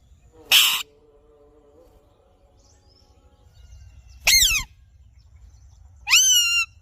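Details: Alexandrine parakeet calling in three separated bursts: a harsh noisy screech, then a loud downward-sweeping squawk, then a shrill call curving up and levelling off, with quiet background between.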